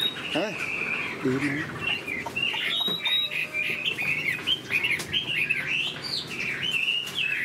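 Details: Large caged Chinese hwamei going through its moult sings a varied, high warbling song of looping whistles and quick downslurs; a few low thumps and a brief low rising sound near the start.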